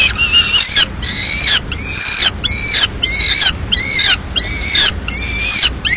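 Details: Peregrine falcon at its nest in Madrid at mid-morning feeding, the female delivering pigeon remains; loud, harmonic, slightly falling calls, each about half a second, repeated evenly with clear gaps.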